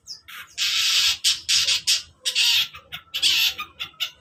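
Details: Long-tailed shrike in the morning giving harsh, grating squawks in quick succession, broad raspy bursts alternating with shorter clipped notes, roughly one per second or faster.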